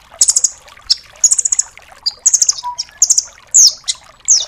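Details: Nuthatch named rambatan doraemon, played to train cage songbirds; varied high chattering trills and quick clipped notes, including one downslurred whistle, in bursts of three to six notes.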